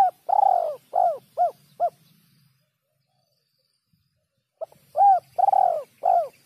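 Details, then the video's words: Spotted dove (terkukur) singing the 'kuk 3' coo style in a clean recording: two phrases of hollow, arched cooing notes, a long burry coo followed by shorter clipped coos, separated by about two seconds of silence. "suara burung terkukur kuk 3"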